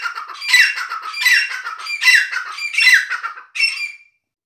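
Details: Grey francolin (dakhni teetar), 560 g, hand-tamed and kept caged, gives a harsh, rhythmic squawking call, about five loud notes each with a short downward slur, closing with one shorter note.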